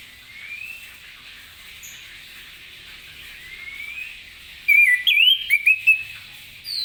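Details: Orange-headed thrush in morning ngeplong song meant to spur other birds: faint rising slurs over steady hiss, then a brief loud run of twisting, trilled whistles.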